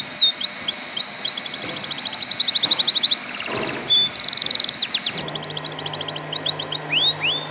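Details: Canary singing as a lure recording meant to make young, untrained canaries sing; fast trills and buzzy rolls alternate with upslurred whistles, changing tour every second or so, with a low steady hum behind.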